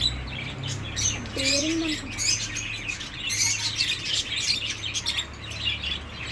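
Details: Many birds chirping together in a busy, high-pitched twitter; a brief low sliding tone appears early, over a constant low rumble.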